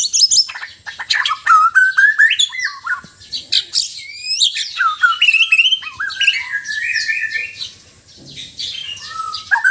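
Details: Sabah white-rumped shama, Borneo, in relaxed and loud song: fast run of rising and falling whistles and chattering trills, then a long smooth whistled phrase that fades, with quieter notes near the end.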